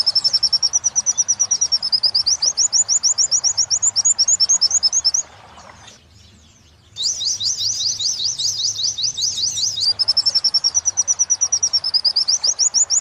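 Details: Oriental white-eye training song for captive birds, in the "wit wit sambung kuntilanak" style: long runs of very high, fast, rippling chirps and twitters, briefly broken by a quiet gap, over a faint steady hiss.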